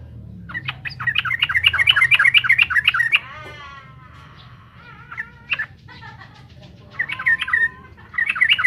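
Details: Energetic gacor song of a trucukan (yellow-vented bulbul), played to provoke rival birds. It opens with a rapid, bubbly chatter and then breaks into scattered short chirps, a brief rattling trill and more scratchy phrases, with low background hum.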